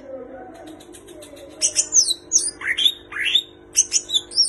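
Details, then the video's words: Greater green leafbird in full song with mimicked kapas tembak and cililin phrases: after a quiet start, high sharp chirps and rising whistled sweeps tumble out in an uneven rapid run. "Cucak Ijo Gacor Full Isian Tembakan Kapas Tembak dan Cililin"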